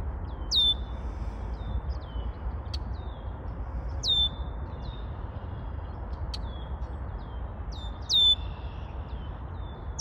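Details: Red-winged blackbird singing: short high whistled notes with sharp upward-hooked onsets, repeated every couple of seconds, over steady low rumbling background noise.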